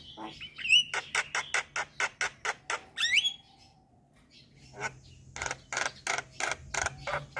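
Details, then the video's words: Lure for all kinds of starlings: a twisting whistle, then a regular train of harsh scratchy notes about four per second, a rising squeal, a quiet gap, and another rapid run of grating notes. "Pancingan Semua Jenis Burung Jalak | Jalak Kebo Jalak Putih / Jalak Nias Langsung Respon"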